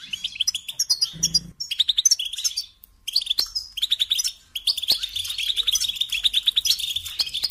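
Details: European goldfinch singing lesson for young birds: bursts of rapid twittering broken by a pause near the third second, then a sustained run of fast jangling trills; a short low hum appears early.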